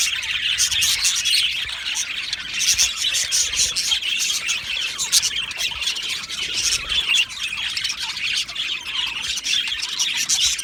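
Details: Happy budgerigars in an aviary colony. The chirping is a dense, continuous chorus of high, rapid chirps and warbling twitters from many birds at once, with short squawks mixed in and no pauses.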